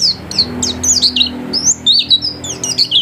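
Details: Home-kept white-eye singing continuously, a fluid stream of high, thin whistles that rise and fall and slur together, with soft low humming in the background.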